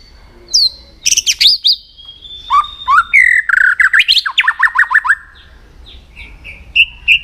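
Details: White-rumped shama trained for song contests sings an intense, varied phrase: high whistles and buzzy notes, a rapid run of sharp slurred notes, then short repeated whistles.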